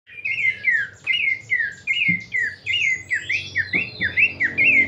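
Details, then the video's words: Horsfield's babbler giving its prized kleperan song: clear whistled notes, each sliding downward, repeated in a quick even series about twice per second, with faint low background hum. "kleperan mewah khas burung pelanduk semak"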